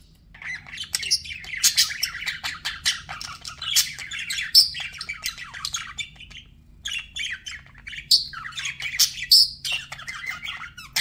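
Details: Budgies keep up a continuous busy chatter of fast raspy chirps and twittering warbles, with several sharp high squeaks standing out, and a short lull before the chattering resumes.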